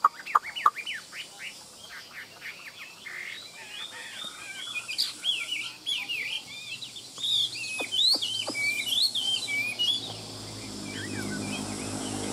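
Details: Caged hwamei singing at midday, opening with sharp clicks, then a long lively sequence of quick varied whistles and trills, loudest in the middle, fading into a low rushing background noise.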